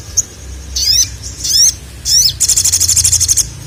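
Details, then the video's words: Three grating, buzzy high calls from a sogon calling a male, each sliding upward into a thin whistle, then a fast rattling series of about a dozen sharp chips in quick succession. "SOGON GACOR MEMANGGIL JANTAN"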